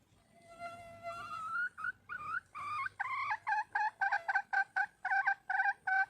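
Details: Red junglefowl hen in the wild calling for a male, starting with long tonal, slowly rising notes that break into a quickening series of short clucking notes.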